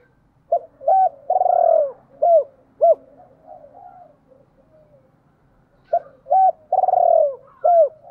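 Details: Decoy spotted dove calling females in the gáy gọi hai hậu style. Two phrases of clipped coos around a long burred note that falls in pitch. A faint low hum runs underneath.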